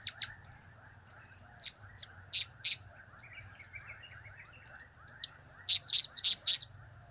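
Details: A blue-crowned hanging parrot gives a few isolated sharp high chirps, a long pause, then a burst of four shrill notes; cap, kiak and crap call types over a quiet hum.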